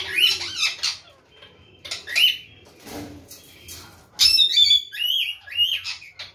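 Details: Parrot calling: harsh rasping squawks and screechy upswept notes in short bursts, pausing between, then a louder run of grating chatter and twisting squeals near the end.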